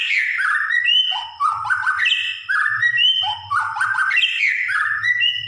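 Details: Greater green leafbird delivering a varied, loud song of rising and falling whistled phrases mixed with harsh chips, repeated in a looping sequence with a faint low hum beneath.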